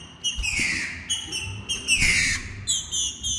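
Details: Female green-winged saltator begging to mate gives two drawn-out, slightly buzzy notes that slide downward, separated by short high chips, with a low knock near the start.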